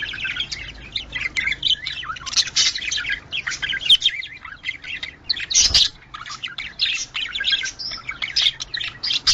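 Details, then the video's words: Budgerigars heard in recordings used to stimulate breeding: nonstop high, scratchy chattering and warbling, with quick chirps and squawks overlapping as if from several birds at once. "Muhabbet Kuşu Kızıştırma Sesleri"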